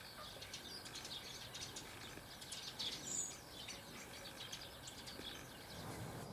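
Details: White storks in a meadow at Vogelpark Marlow near the Baltic in 2018, many of them paired birds building nests on the ground, clatter their bills to greet partners and guard nests: dry, rapid, overlapping wooden rattles at a distance over open-air rustle.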